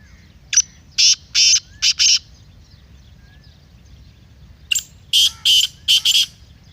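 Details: Kala teetar (black francolin) voice, intended to excite a caged teetar. Two strident phrases of five grating notes each, a short first note leading, are separated by a pause of about two and a half seconds.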